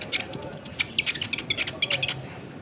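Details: Sunbird, known locally as konin or kolibri ninja, singing in lively form to provoke other birds. A rapid series of sharp high chirps and clicks, with a thin, very high trill near the start.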